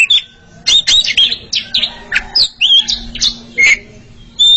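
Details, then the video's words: Oriental magpie-robin pair singing against each other, with harsh squawky notes mixed among clear whistles and quick chirps in uneven bursts. "KACER ROMANTIS!!!! Sepasang kacer sedang beradu kicauan"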